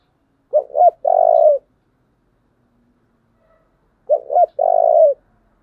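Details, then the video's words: Spotted dove in the 'thổ' voice, a strongly strained 'Thúc' coo held up as a model for decoy birds. Two phrases about 3.5 seconds apart, each a quick double hoot followed by a drawn-out, burring low coo. "cu gáy giọng thổ Thúc rất căng"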